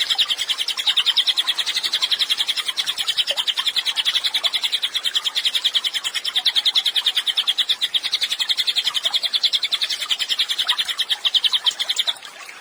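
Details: Cililin in full, lively song, recorded as training material for captive songbirds: a long, unbroken stream of high, rapid chirps, about three to four per second, pulsing steadily with slight rises and falls in loudness.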